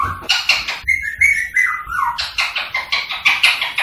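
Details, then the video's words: A rose-ringed parakeet chatters rapidly in scratchy bursts around a run of level whistled notes that slide downward. The sound is used to stimulate singing and mating. "تعليم ببغاء الدرة التغريد والغناء والتصفير والطقطقة للتحفيز على التغريد والتزاوج الدرة الهندي"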